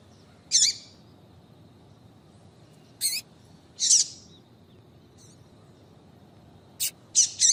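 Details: Scattered high chips from a female double-collared seedeater, given to provoke a male into song: about seven short notes at irregular intervals, some sharp and clipped, some breathier with a downward hook, a quick cluster at the end.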